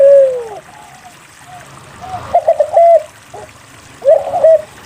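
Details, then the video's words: Spotted dove cooing to prompt idle doves to sing: a falling coo at the start, then two quick phrases of stuttered short coos ending in a held note, over soft background hiss. "SUARA PANCINGAN DERKUKU GACOR UNTUK MALAS BUNYI"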